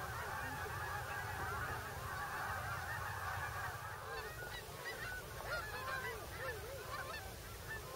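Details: Geese arriving on migration at Bombay Hook refuge, Delaware: many distinct arched honks, irregular and quick, rising clearer above the flock chorus in the second half.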